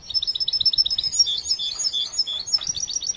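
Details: European goldfinch, a young captive-raised bird still learning its song, giving a fast run of high tinkling twittered notes, then buzzier trills and chattering phrases.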